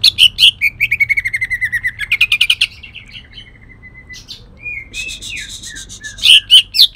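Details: Leafbird known as cucak ijo, from Kalimantan, delivering rough shot-like song with a shrike-mimic fill: a fast rattling train of harsh notes sliding downward, a quiet pause, then slurred whistles and loud buzzy bursts.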